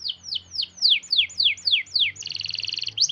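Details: Canary singing a long, tight rolling song meant to coax lazy canaries into singing: a string of downward-swept whistled notes about three per second, breaking into a rapid buzzing roll, with a faint low hum behind.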